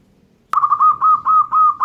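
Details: A local zebra dove in full voice gives one loud phrase of rapid, bubbling coo notes. The notes are closely spaced and run evenly for more than a second, beginning abruptly after a short quiet moment.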